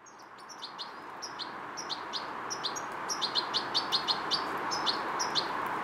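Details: A fledgling European goldfinch, still learning motor control and coordination, gives quick thin high chirps, about two or three a second and often doubled, over steady rushing background noise.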